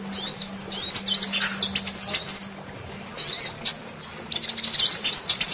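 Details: Used for luring male sunbirds, this female call gives bright, high zigzag whistles in rapid phrases, pauses briefly around three and four seconds, then closes with a dense, buzzy burst of chirps.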